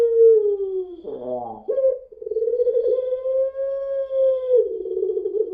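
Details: Puter pelung, a long-voiced Indonesian barbary dove type, used as a lure recording: a sustained, steady low coo held for several seconds, broken near the start by a brief rough, wavering cough-like sound, then continuing evenly before a slightly rougher ending.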